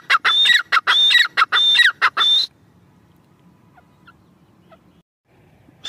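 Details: Teetar partridge calling in quick harsh repeated phrases with a high whistled overtone for about two and a half seconds, then near silence with faint background hiss and a single call returning at the end.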